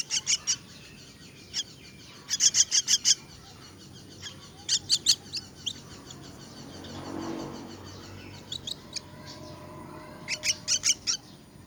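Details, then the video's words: Myna chicks being fed utter repeated short bursts of harsh, raspy begging calls, in clusters of three to five notes with quiet gaps and a soft rustling sound midway. "Feeding myna's chicks"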